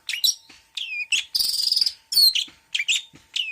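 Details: Long-tailed shrike delivering mixed 'isian' song: dense scratchy chatter, a long buzzy rattle in the middle, and interspersed whistled slurs and abrupt chirps.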